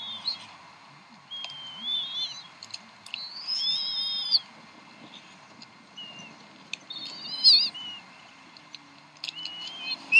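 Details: Decorah bald eagles at the nest on the evening of 26 April 2012, 7:50 pm CDT, mother feeding three eaglets: scattered high, thin whistled calls, some rising, some wavering, separated by pauses, with occasional clicks.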